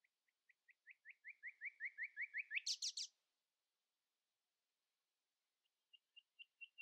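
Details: Early-morning common nightingale song meant to stay louder than rival singers: a train of short whistles speeding up and growing louder, then a burst of buzzy rattling notes, a pause, and a fresh soft run of clicks.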